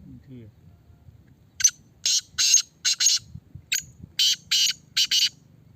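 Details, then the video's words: Caged Black francolin under test, repeating harsh, scratchy notes in two uneven series, the notes broad and rasping, with faint low rumble beneath. "Kala Teetar ki Test کالا تیتر کی ٹیسٹ"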